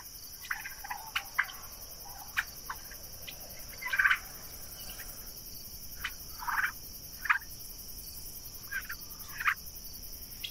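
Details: Young Royal Palm and Broad Breasted White turkeys grazing outside on a summer day or evening utter short, rough calls in separate bursts every second or two, with steady insect trilling behind.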